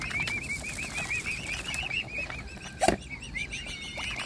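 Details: Cygnets of a mute swan family being hand-fed send out rapid, evenly spaced high peeps, each a small rising-falling whistle. A single loud thump interrupts near the end, then the peeping resumes.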